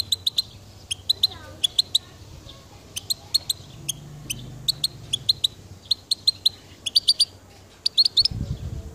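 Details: Goldfinch repeating sharp, high ticking notes in rapid bursts of three to six, speeding into denser runs near the end, then a brief low thump.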